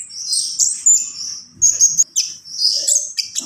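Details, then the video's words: Javan pied starling song in gacor full isian style, short phrases of piercing, high whistles and scratchy chirps broken by brief pauses. "SUARA KONIN GACOR FULL ISIAN"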